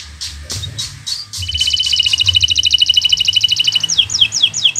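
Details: Local green canary, bottle-green colour, singing as a master for young birds learning to sing: a few scattered chirps, then a fast, even trill of high repeated notes, ending in downward-sweeping whistles.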